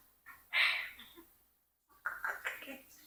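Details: A 4-year-old Congo African grey parrot talks in two short bursts of thin, high-pitched, word-like mimicry, apparently saying things like "Nah, no, me clean", separated by a brief pause in a quiet room.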